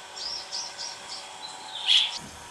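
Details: Greater Striped Swallow (Hirundo cucullata) at Bivane Game Lodge, Vryheid, KwaZulu-Natal, South Africa, 5 December 2015: a run of thin, high chirps about three per second, then a louder squeaky note, over soft background hiss.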